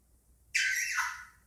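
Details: A male pet Indian ringneck parakeet in a chattering mood gives a single harsh, buzzy squawk lasting about a second, dropping in pitch at the end, in a quiet room.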